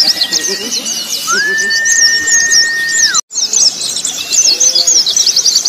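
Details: Zosterops white-eye song mix used to train birds for song contests, combining calls of several birds: dense high chattering trills overlaid with a long steady whistled tone, a brief silent gap, then renewed rapid twittering.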